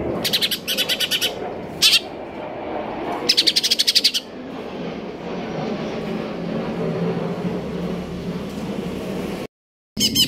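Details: Greater green leafbird performing konslet kejer nembak song: short, rapid bursts of high ticking trills over a steady low background hum. A brief silence comes near the end.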